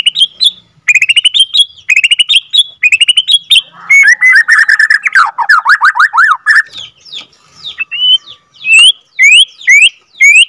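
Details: Borneo white-rumped shama, second-generation (F2) captive-bred bird, in a long rolling 'ngerol' song used to provoke other shamas. It gives loud, varied whistled phrases, rapid repeated chips, and a burst of steep, down-sweeping trill notes, then rising whistles.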